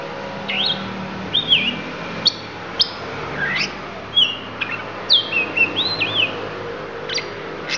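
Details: Oriental magpie-robin, Lampung type, giving isian: looping whistled slurs that dip and rise, interspersed with crisp high clicks and chirps at irregular intervals, over a quiet hum.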